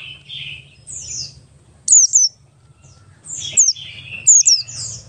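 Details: Oriental white-eye, buxtoni race, in ngalas-style song used as a lure for other white-eyes. Soft twitters, then two bursts of thin, high, falling whistled notes, with a faint low rumble behind.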